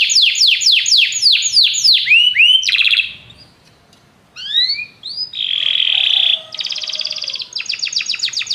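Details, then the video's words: Many canaries singing together after hearing music, with a run of quick descending whistled notes, a short pause, rising slurred notes, a steady buzzy roll, then fast high trills. "muitos canários cantam junto depois de ouvir essa música"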